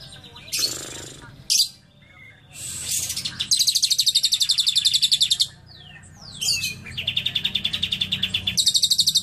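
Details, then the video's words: Lovebird singing a cililin-style fill: harsh broadband bursts alternate with long, rapid trills of sharp chirps, several runs of many notes each, clean and loud throughout. "Love bird isian cililin"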